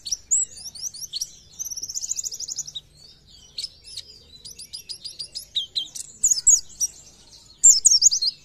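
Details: Oriental white-eye in lively 'gacor nembak' song: high-pitched rapid twitters, a fast trill near two seconds, short quiet gaps, then bursts of sharp, steeply slurred whistles toward the close.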